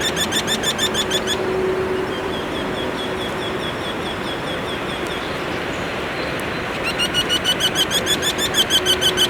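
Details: Eurasian wryneck singing in spring in the Ebro Delta, Spain, on its breeding grounds: two quick runs of nasal, whining 'quee-quee-quee' notes, several per second, over a steady low rumble of background noise.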